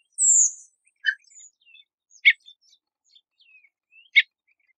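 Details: {'caption': 'Redwing call: a thin, very high drawn-out whistle sliding downward, then a short lower chip and two sharp clicking notes spaced about two seconds apart, with faint soft twitters between them in a quiet setting.'}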